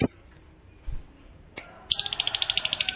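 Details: Fighter-type lovebird: two sharp high chirps, a pause, then a fast chattering trill of rapid repeated notes begins and runs to the end. This long 'ngekek' trill is said to set other lovebirds singing.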